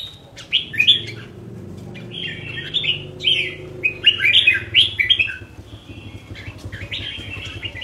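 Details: Pet red-whiskered bulbul singing short, rolling whistled phrases in a steady sequence over a low background hum.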